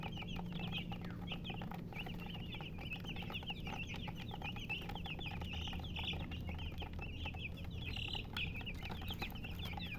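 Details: Chicks peeping in a crowded chorus, high quick chirps flowing without pause above a constant low background drone.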